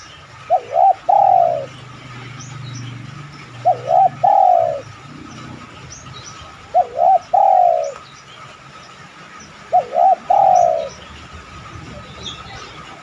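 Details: Spotted dove cooing, used as a lure to get other doves to coo in response: low, mellow phrases of three or four quick notes, the last drawn out, repeated about every three seconds over a quiet hiss.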